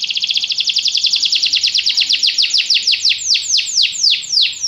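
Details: Canary song of fast, bright repeated notes that begin as a tight buzzy trill and gradually slow into distinct downward-sweeping whistles, sustained without pause.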